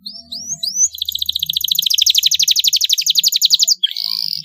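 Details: Long fluent canary song played as a teaching lure for young birds: a few upslurred notes open into a very fast, even, ringing trill lasting about three seconds, ending in a buzzy burst.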